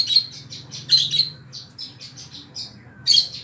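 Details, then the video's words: Wambi song, recorded for training oriental magpie-robins and other birds: short bursts of high buzzy chirps and whistles separated by brief gaps, over a steady low hum. "SUARA BURUNG WAMBI"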